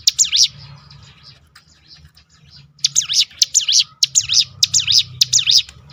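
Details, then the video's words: Crested honeyeater (ciblek gunung) using its 'tembakan' roll to goad other birds into song: two opening chirps, a quiet gap with low hum, then a fast run of sharp, high, wavering notes. "roll tembakan ciblek gunung memancing bunyi burung lain"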